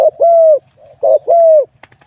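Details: Wild-caught spotted dove singing in competition: two phrases, each a short burred note and then a long, even coo that falls slightly at the end, followed by a few faint clicks.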